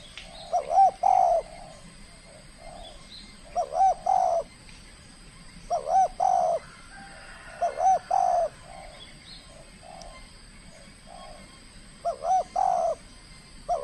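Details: Trained spotted dove from the Riau Islands, Indonesia, showing its skill in a first contest bout: five or more mellow coo phrases in quick succession, each stuttering notes ending in a longer hoot, spaced about two to three seconds apart.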